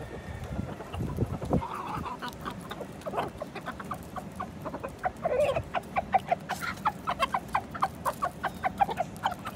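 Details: Chickens being fed on a gloomy day, giving a rapid run of short, clipped clucks that grow steadier and evenly spaced toward the end, over a low background rumble.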